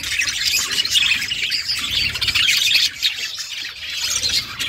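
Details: Busy high-pitched chirping and twittering from budgerigars as a mother feeds her chicks, a continuous scratchy chatter with short louder bursts throughout.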